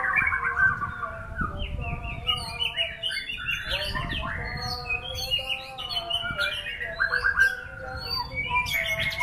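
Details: A white-rumped shama delivers a long, elaborate song. Rapid chattering bursts mix with pure whistles and sharp upward and downward sweeps, with brief pauses between dense phrases and faint low background rumble.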